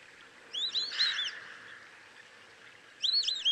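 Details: White-faced Whistling Duck (Dendrocygna viduata) in Kruger National Park gives two bursts of clear, high, multi-note whistles, about two seconds apart, over a steady background hiss.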